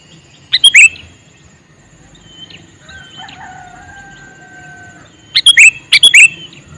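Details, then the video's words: Male sooty-headed bulbul calling: a quick gurgling burst at the start and two more rapid chirpy bursts after about five seconds, while steady thin whistles from other birds sound between them. "Suara Burung Kutilang Jantan MeManggil"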